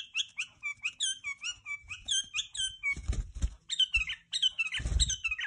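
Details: A tame pet white-eared bulbul sings indoors, a rapid run of bright whistled and warbled notes climbing and falling, with soft thumps and rustling knocks near the middle and end.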